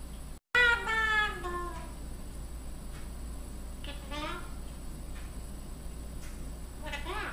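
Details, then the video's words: A Solomon Island Eclectus parrot talks and sings "You Are My Sunshine" indoors: a loud, speech-like phrase sliding downward, then softer chattering and sliding notes after a pause, over a quiet indoor hum. "Eclectus parrot singing and talking"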